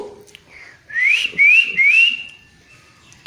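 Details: Likely an Indian ringneck parrot mimicking a cat, giving three clear rising whistled "meow" notes, each sliding upward, about one every half second; it also says "yeah, me too" around this.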